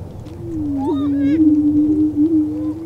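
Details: In the Flint Hills of Kansas, male lesser prairie chickens boom during courtship: a deep sustained hum with a brief upward yelp and a quick burst of stacked cackles near the first second.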